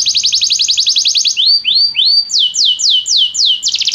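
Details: Belgian canary song for singing training: a fast, high chirping trill, then three slow rising whistled slurs, then several descending swept notes, ending in a renewed quick trill.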